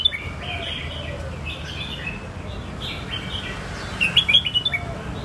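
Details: Red-whiskered bulbul song in the Phet and Prachathipat styles: a series of brief fluty, slurred notes, then a burst of rapid, sharp chirps toward the close, with constant low background hum.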